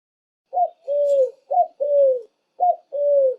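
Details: Pigeon cooing three times, each phrase a short higher note followed by a longer, smooth, slightly falling coo, spaced about a second apart.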